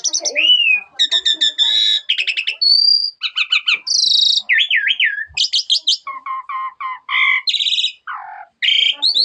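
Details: Jalak suren, the Asian pied starling, in a rich fill-in song: rapid stuttered rattles, pure high whistles, a wavering warbled phrase and repeated chattering notes packed tightly together without pause.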